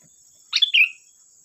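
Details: Sooty-headed bulbul in lively song, used as a lure to get other bulbuls to answer: a single short bubbly phrase, a quick burst of notes sliding downward into a brief whistle, over a steady thin high hum.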